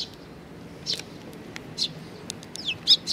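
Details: Young sparrows at Tenmangu, Nakanoshima, 25 May 2020, crowding at food. Sharp high chirps come singly at first, then closer together toward the end, over a steady low murmur.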